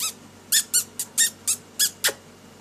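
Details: Pet lory during daily activity and play, indoors: a series of short, harsh, broadband squeaky calls, about eight notes spaced irregularly every quarter to half second, the last one sliding downward.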